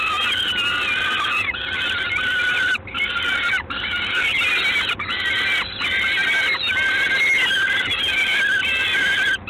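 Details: Peregrine falcon in Gdańsk, 3 June 2016, evening. A long series of loud, nasal, whining cries, each lasting roughly one second, repeats with short gaps over a steady hiss.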